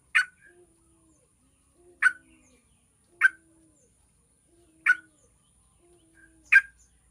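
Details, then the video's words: Yellow-vented bulbul sound meant to trigger song in other bulbuls: five short, sharp notes repeated at irregular intervals of about one to one and a half seconds. "PANCINGAN TRUCUKAN AGAR CEPAT BUNYI"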